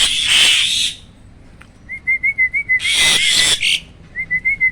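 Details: Loud "roll tembak" singing by a captive hybrid of Asian pied and black-winged starlings. Two harsh, broadband blasts alternate with neat rows of evenly spaced whistled notes.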